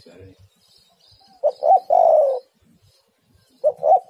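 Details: Female spotted dove calling for a male, used as a lure sound. A quiet murmur opens, then come two short coos and a long, full, slightly falling coo, with the phrase starting again near the end.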